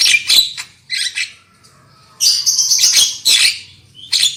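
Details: Black-winged myna singing, a lure recording to make birds sing loudly: loud harsh squawky bursts separated by a pause with a faint level whistle, then a long rasping phrase.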